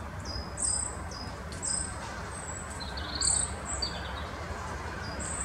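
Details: Short-toed Treecreeper at Oosterbegraafplaats cemetery, Amsterdam, Netherlands, 1 November 2015, giving thin, very high, piercing call notes, single or in quick pairs, roughly every half second to second over a low background rumble.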